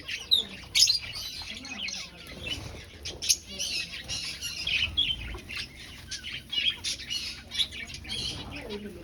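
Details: Finches in a breeding aviary looking for nest sites; continuous high-pitched chattering with frequent sharp chips standing out every second or so, plus faint fluttering.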